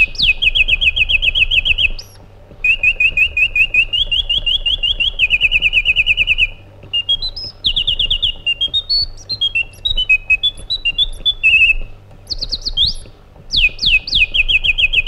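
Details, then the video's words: White-eared bulbul (Iraqi bulbul) singing: long runs of rapid, evenly repeated high whistled notes, then a varied phrase of rising and falling slurred whistles, then more fast trills after short pauses; low steady hum underneath. "Magnificent Harmony by an Iraqi Bulbul"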